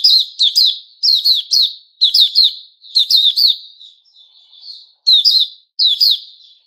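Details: White-rumped shama of the Puteh Raja kind on 29 August 2021, delivering repeated bursts of two or three bright downward-slurred chirps roughly every second, with a quieter warbled stretch in the middle.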